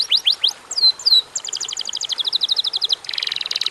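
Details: Short canary song burst used as a lure: a few falling slurs and whistles, then a rapid even rattle of high notes and a dense buzzy trill at the end.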